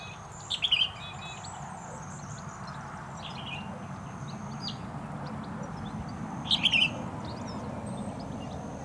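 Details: Male European goldfinch in early September 2017 at Richmond Lowlands, NSW, in a weedy roadside area within farmland: two short bursts of quick, tinkling twittered chirps about six seconds apart, over a steady low rumble and a faint high hum.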